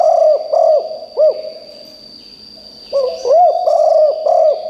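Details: Spotted dove kept as a decoy bird, calling loudly so wild birds in the forest answer: deep hollow cooing notes in quick runs of three to four, a pause of nearly two seconds, then more coos, with a steady high tone behind.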